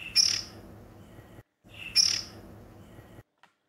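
A young Oriental magpie-robin gives two brief, harsh, high chirps about two seconds apart, over a soft steady hiss.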